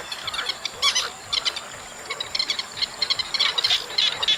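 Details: An August chestnut munia flock produces fast, high, tinny chips in clusters, a thin twittering chatter with short louder bursts against a constant faint hiss.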